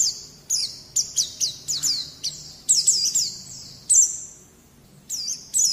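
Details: Training song of a white-eye meant to prompt young birds to sing, made of high downslurred chirps in quick groups, then a longer thin note and a pause before the last chirps.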